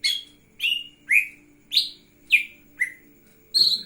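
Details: Lesser green leafbird singing profusely while opening its wings: a series of short, clear whistled notes, each sweeping and slurring, spaced about half a second apart, with a faint steady hum underneath.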